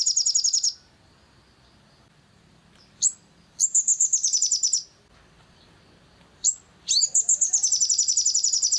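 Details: Long-tailed shrike song meant to provoke other birds into singing: trains of rapid, harsh, high chattering notes, about four per second, in three bouts with quiet gaps and a short single note between them.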